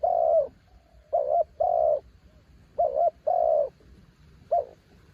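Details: Decoy spotted dove on a branch: the tail of one cooing phrase, two full phrases of quavering short coo plus long steady coo, then the start of another.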